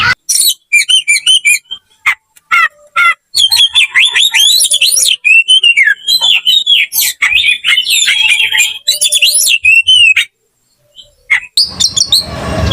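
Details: Fighting Oriental magpie-robin singing emotionally: bursts of clear whistles, chips and tangled warbling phrases separated by short silences, ending after a longer gap with a few faint notes and hiss.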